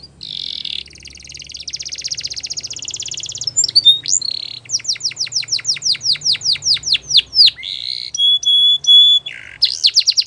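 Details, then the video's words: A long, varied canary song: a sustained buzzy trill, a fast series of steep chirped sweeps, and high flat whistled tones, with soft low hum underneath. "Canary Birds Song | The Best Canary Sounds"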